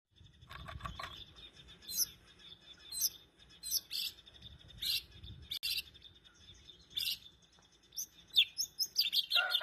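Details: White-rumped shama in energetic full song, used as a lure to get other shamas singing: sharp, high chirps and short bright bursts repeated roughly every second, with a faint low rumble beneath.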